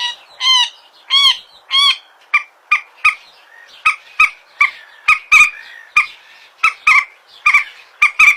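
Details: Common moorhen (mandar batu) on a phone recording: three long rising-falling squawks open, then a steady string of short clipped nasal notes about every third of a second.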